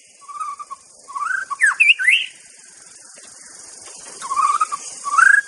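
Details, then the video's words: Wild white-rumped shama song: rich, varied whistled phrases, some rising and falling, some trilled, with a louder fluty flourish in the middle, then a pause before fresh warbled whistles over faint background hiss. "Kicau KHAS Murai BATU di ALAM LIAR"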